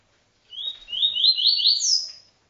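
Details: Double-collared seedeater singing the TuiTui song style in a tutoring recording: a short opening note, then a series of four rising buzzy slurred notes and a high whistled ending, all clear and alone.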